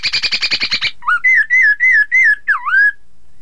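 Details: Chinese hwamei song meant to provoke rival birds into singing: a fast buzzy trill of about nine pulses, then five loud clear whistled notes and a final swooping dip.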